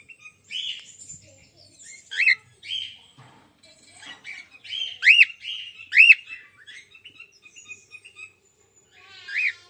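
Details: Female cockatiel giving a loose series of short chirps and soft twitters, broken by several loud, sharply upswept whistled calls, two close together near the middle, ending with a rough, buzzy note; no other sounds.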